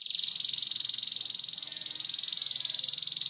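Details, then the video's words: Young canaries' training lure of the rough ngeriwik song: a canary's fast metallic rattle that swells in within a moment and then holds a flat high pitch with dense, regular pulses. "kenari ngeriwik kasar 100% RESPON❗Suara Pancingan KENARI PaUd Cepat BeLajar BUNYI NgeriwiK"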